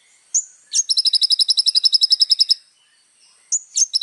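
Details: ['Little spiderhunter singing a long, rapid, very high trill of about twenty evenly spaced pulses. It is framed by sharp single notes before and after, with silence in between.']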